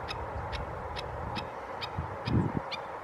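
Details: Black-necked stilt calling at 7:03 am on 16 July 2016 at San Elijo Lagoon: sharp, yapping kek notes about twice a second over a steady low rumble of wind or distant traffic.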